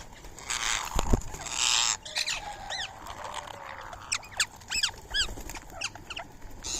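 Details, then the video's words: Indian ringneck parakeets, free-living birds visiting to eat soaked rice and corn early on a March morning. A few spaced, sharp arching screeches stand out after a burst of rustling noise, then quieter scattered calls. "Today's Indian Ringneck Parrot Feeding | Natural Bird Sounds"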